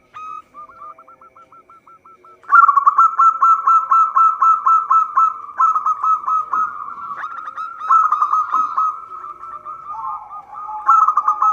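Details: Local zebra dove song used as a trapping lure: a long, fast string of pulsed, stuttering coos at a steady pitch, soft at first, then much louder and continuous.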